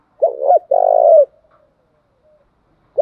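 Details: Male and female spotted doves recorded to make trained doves coo. One low phrase of two quick stuttered notes runs into a sustained, slightly tremulous coo that falls off. It is followed by quiet, and a new phrase starts right at the end.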